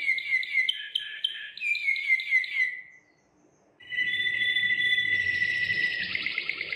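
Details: Belgian Waterslager canary, a song breed whose voice is likened to running water and a nightingale, in song training; rapid rolling trills and warbled phrases, a brief pause, then a loud sustained rolling trill rising in pitch.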